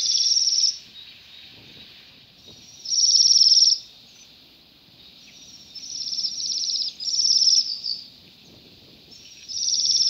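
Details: Bohemian waxwings on rowan in December, Pushkin, Saint Petersburg, Russia, feeding on leftover berries; sharp, high trilled calls come in separate bursts of under a second, roughly every two to three seconds, with faint rustling between.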